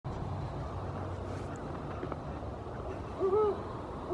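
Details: Great horned owl calling in the dark: one low, hollow hoot near the end, with the start of another right at the close, over a steady low rumble of background noise.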